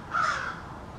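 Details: A single brief, harsh caw from one of a small family of American crows conversing in a backyard.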